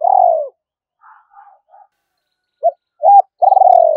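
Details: Spotted dove luring wild doves for trapping with its urging coo: a long vibrating coo sliding down, faint soft notes, then short coos leading into another long rolling coo.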